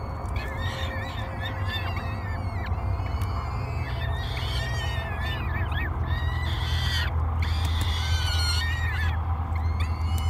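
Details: Hungry peregrine falcon nestlings, three chicks, call during breakfast at Great Spirit Bluff on 24 May 2022: dense, continuous wavering screams, roughly two per second, some sharp clicks between, steady low background hum.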